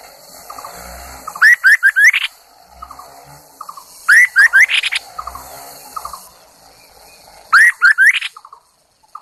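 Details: Lure Chinese hwamei in full song: loud clusters of four to five upward-sliding whistles ending in rough buzzy notes, repeated about every three seconds, with soft chattering between and faint low thumps in the background.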